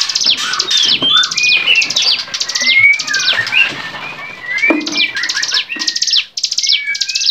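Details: Bar-winged prinia in a vigorous varied song used as training material for cage songbirds: rapid bursts of high buzzy chattering notes repeated in quick series, with thin lower whistled slurs woven between them.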